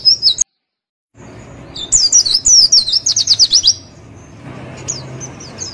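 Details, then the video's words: Javan white-eye tutor song used to trigger replies: a brief twitter, a sudden silent gap, then a fast run of high descending trilled notes, followed by softer scattered chirps over low hum. "MASTERAN DAN PANCINGAN PLECI DIJAMIN NYAUT DAN NGREKAM"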